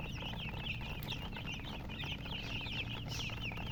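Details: Chicken chicks chirping: rapid, high, thin peeps that rise sharply, packed closely together from many birds, with a low steady hum underneath.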